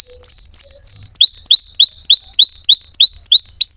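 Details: A singing canary repeats clear, sharply descending whistled notes, steady and evenly spaced at roughly three per second, each with a high upward flick.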